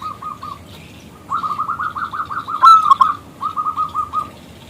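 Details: Local zebra dove in full song, its call meant to set off a male: short coo runs build into a rapid rolling series, peak in a loud ringing phrase, and resume as soft repeated notes.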